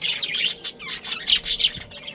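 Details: Captive budgerigars in a breeding colony in Karachi give sharp, bright chirps in quick succession, about four per second, interspersed with buzzy warbled notes.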